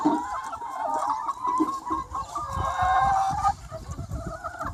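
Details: Around 200 free-range chickens on a sunny spring day, a steady overlapping chorus of clucking and long, wavering squawks, one call standing out clearly near the middle before the flock quietens.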